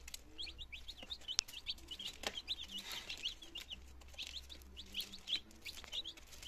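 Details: Chicks in their second day of life, a brood of nineteen in Germany, September 2022, beginning to eat and drink; rapid bursts of shrill peeps from several chicks at once, with a few soft clicks and knocks.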